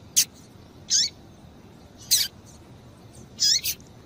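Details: Female rusty-collared seedeater, a caged bird calling to excite the male: sharp high chip notes, each with a short downward-curving tail, given singly or in quick pairs at irregular intervals against quiet background hiss.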